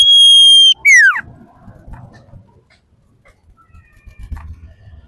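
A Common Iora gives a long, steady, pure whistle, then a quick whistle sliding sharply downward, followed by faint background rustling.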